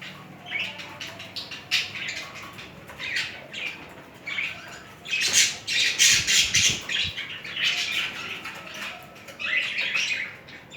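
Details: Pair of budgerigars mating and showing affectionate behaviour, giving dense scratchy chattering warbles with bursts of harsh squawks, rather irregular, some louder broadband outbursts mid-way.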